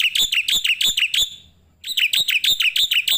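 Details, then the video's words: Starling song used as master training audio for other birds: rapid repeated chirps, each a sharp downward-sweeping note, in two bursts separated by a short pause. "coba buat suara masteran burung jalak putih,jalak kebo,jalak nias,jalak suren pasti gacor"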